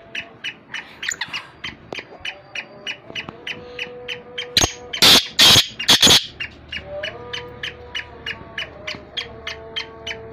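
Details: Black francolin calls, male and female: rapid series of short repeated notes around three kilohertz, about two per second, broken midway by loud broadband bursts; faint tonal hum underneath.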